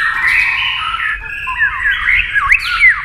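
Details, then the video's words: A white-rumped shama sings against a TV with fast beak movements. It gives a continuous buzzy warble that turns into quick twisting whistled slurs near the end. "kích chòe lửa hót đấu với tivi cực căng lửa"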